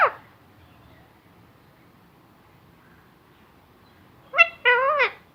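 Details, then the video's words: Talking parrot, said to say Allah Hoo among many words, with a brief sound at the start, a long quiet gap, then a quick two-syllable spoken phrase at the end. "Talking Parrot saying Allah Hoo and many more words"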